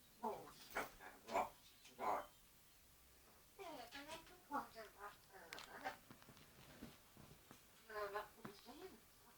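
An African grey parrot gives short, voice-like calls and chatter, some sounding like speech or a bark, in bursts broken by a brief pause, in a quiet room.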